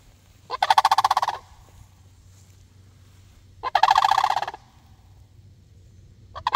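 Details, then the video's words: Sandhill cranes answering a person with repeated rolling, rattling calls. Two bursts of just under a second come about three seconds apart, and a third begins at the end. A steady low hum runs underneath. "sandhill cranes answer me"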